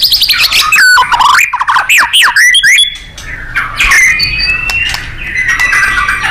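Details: Song of a white-rumped shama for training contest birds: loud rolling whistles and sharp sweeping notes at first, fading into softer, hissy warbling with faint high tones.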